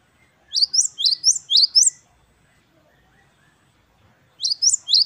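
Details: Great tit, called gelatik batu wingko in Indonesia, singing the gacor style known as wucit-wucit kristal: a quick run of about six high, bright upslurred notes, a pause, then the run starting again. No other sounds are heard.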